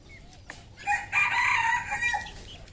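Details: Red junglefowl on a farm in Cambodia: one harsh, strained crow that holds a steady tone for about a second, heard over a low background rumble.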